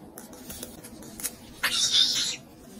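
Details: Two pet cockatiels in a sudden, fierce quarrel: one harsh, hissing screech lasting under a second, preceded by faint scattered clicks in a quiet room.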